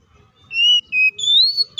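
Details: White-rumped shama fighting song used to provoke other shamas: three clear, drawn-out whistles, the last slowly rising in pitch, over faint low background noise.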